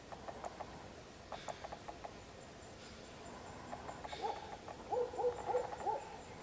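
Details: Two wild African grey parrots visiting in Uganda give short, mellow whistled notes in quick runs, low and hoot-like, with soft clicks and pulses between and a faint hiss behind.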